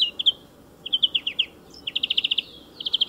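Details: A European greenfinch sings beside a motor racing circuit, mixing single chirps with quick trilled runs of evenly repeated notes, the phrases clear and loud above a weak low background noise.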